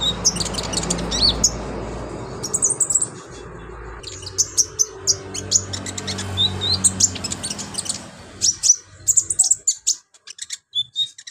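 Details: Sunbird chattering as a training master song: bursts of very high, thin twittering notes in quick clusters, with some short pauses, over a steady low rumbling background.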